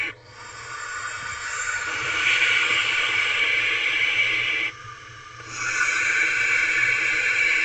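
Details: Owlets in a nest box at 10:33 pm on an April night hissing loudly as a parent delivers a rodent; sustained breathy hissing with one brief pause near five seconds, then resuming just as strongly.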